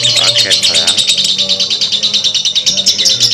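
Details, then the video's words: Long ngekek chatter from a lovebird, a continuous fast rattle of shrill, scratchy notes, briefly joined early on by a lower sweeping sound, over a soft low hum. "simuasi lovebird ngekek panjang"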